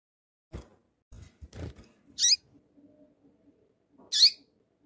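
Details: A female double-collared seedeater calls to excite a male, giving two short, high, sharp chirps about two seconds apart after a few low thumps and knocks.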